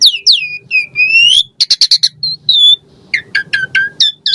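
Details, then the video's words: Asian pied starling in full voice, singing a richly varied song used to prompt caged birds to sing: falling and rising whistles, harsh squawks, then rapid clipped chirps in irregular bursts, with faint low background noise. "Jalak Suren Gacor Full Isian Variasi Mewah !!! Pancingan Jalak Suren Ocehan Suara Burung"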